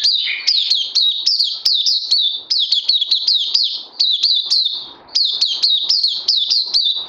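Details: Oriental white-eye kept caged, crazy LG song, 31 May 2020: quick bursts of sharp, downward-bending high chirps in rapid runs, separated by tiny pauses before each new flurry.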